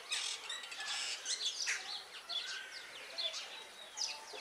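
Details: Continuous chatter from a superb starling: rapid harsh buzzes alternating with short clear whistles and downward slurred squeaks, repeated throughout.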